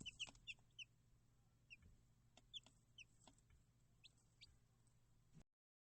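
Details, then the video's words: Chicks chirping: quick, high, thin peeps in irregular clusters, some doubled, mixed with soft clicks and knocks over a low steady hum, ending abruptly. "chicks chirping sound"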